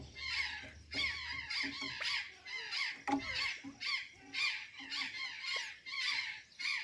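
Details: Feeding azure jay at Santa Catarina, Brazil, taking banana and sweet potatoes, gives rough, squawky call bursts almost twice a second, with a dull knock partway through and a low hum early on.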